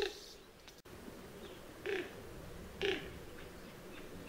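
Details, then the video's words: Greater roadrunner song: three low, soft, dove-like coos about a second apart, rather faint over a quiet background hiss. "Song of the Greater Roadrunner"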